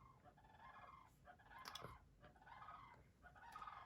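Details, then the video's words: Five sandhill cranes in a front yard give rolling, rattling bugles, several overlapping phrases about a second apart, muffled and distant as heard from indoors. "you guys hear that noise it's sandhill cranes they must be out front"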